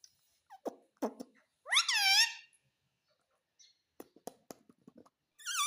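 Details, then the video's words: Pet ringneck parrot indoors talking: short clipped speech-like syllables, then a long wavering harmonic screech, later quick clicks and another screech starting. "Mummy Bolne Wala Parrot _ Talking Parrot _ Ringneck Parrot"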